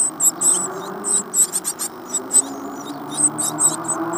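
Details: Fourteen-day-old great tit nestlings in a Falmouth, UK nest box, hatched 25 April 2011, uttering loud, piercing high chirps and hissy squeaks in quick irregular succession, with soft low rustling beneath.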